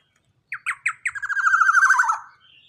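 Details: A loud young black-naped oriole of large build: brief silence, then spaced, sharply descending notes quicken into a dense harsh rattle sliding downward; a faint thin note follows.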